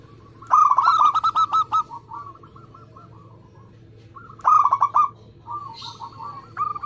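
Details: A zebra dove of local stock in lively song, used to bait and prompt others: two quick bursts of rolling coos, each trailing into softer, slower warbled notes, with a faint rustle near the end.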